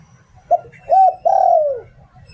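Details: Decoy spotted dove singing the "Liu Tan" style. One phrase of a brief coo, a steady middle coo and a long coo gliding downward.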